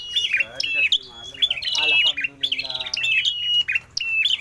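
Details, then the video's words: Lively prinia (prenjak merah) song: high whistled notes with abrupt jumps and flicks, interleaved with quick lower chattering phrases, delivered almost continuously. "Burung prenjak merah gacor"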